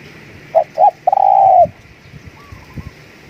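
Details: Spotted dove, a decoy bird's luring coo: two short low hoots, then a longer steady coo with a quick stuttered start, and a faint higher whistle after a pause over a quiet background.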